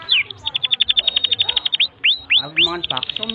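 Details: Canary master song for young canaries: a quick series of clipped high notes, then sharp rising whistled sweeps and a renewed rapid trill, with a faint lower voice.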